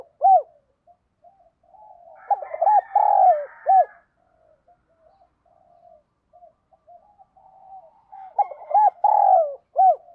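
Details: Spotted dove, 'giọng đồng' style urging call used to lure and train decoy birds: two repeated phrases of rapid hoots, a low rolling coo and a sharp arched ending, with soft background chatter from other birds.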